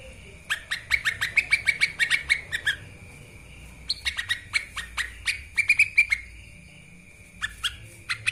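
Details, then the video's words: Lesser green leafbird singing in repeated fast bursts of crisp chirps and slurred notes, separated by short pauses, on master audio for training birds described as chatty. "CUCAK IJOMINI masteran gacor langsung NARUNG...!"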